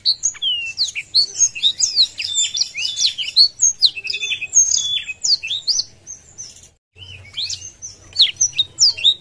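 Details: Caged Blackthroat in full song with wings open, singing to rile up rival birds: dense, fast bursts of high chirps and twittering whistles, a brief pause, then a renewed run of sharp notes.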